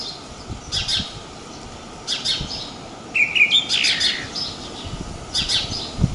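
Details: House sparrow filmed at Praia de Pipa, Tibau do Sul, Rio Grande do Norte, Brazil: scattered short bright chirps, with a louder burst of clustered chirps in the middle, against a steady outdoor hiss.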